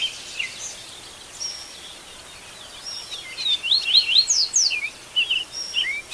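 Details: Wild birds singing at dawn in Brazilian nature, recorded live: high, thin whistled notes and quick rising and falling slurs, scattered at first and then denser chirps in rapid series over a quiet, steady background hiss.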